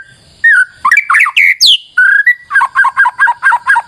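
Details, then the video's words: Lure song of a white-rumped shama: harsh rising and falling chattered notes, a short whistle, then a quick run of about eight repeated two-part notes. "PANCINGAN MURAI BATU GACOR"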